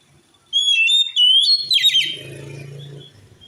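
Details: Oriental magpie-robin delivering a provocative song meant to enrage other males: a clear rising whistle followed by a fast cascade of slurred, buzzy notes, then a low humming rumble.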